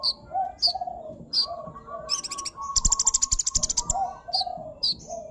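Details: Sunbird in lively song: high thin chirps, then a fast buzzy rattling trill in the middle, over lower warbled whistles, with faint low thumps in the background.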